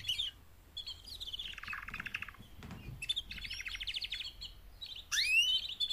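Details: Mating calls from four female canaries, aimed at motivating male canaries. Repeated trilled phrases sweep down in pitch, pause, then return, ending in a sharp rising whistle and chirps.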